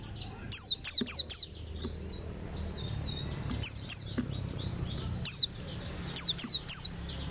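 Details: White-eye song in repeated bursts of sharp, high, downward-sliding chirps. A quick group of four is followed by pairs and a final triplet, with a soft, busy twitter filling the gaps.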